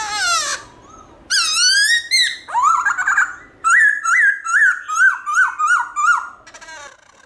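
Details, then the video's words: Varied forest-voice morning song from a black-throated laughingthrush: long sweeping harmonic notes, then a steady string of downslurred ringing whistles, roughly three per second. "Khướu Bạc Má Hót Giọng Rừng ĐẢO GIỌNG Buổi Sáng"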